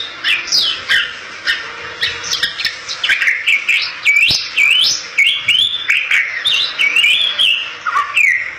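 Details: Bali myna song meant to lure other Bali mynas: a lively string of clear rising and falling whistles, some sliding sharply upward, broken by crisp clicks and harsh chattering notes.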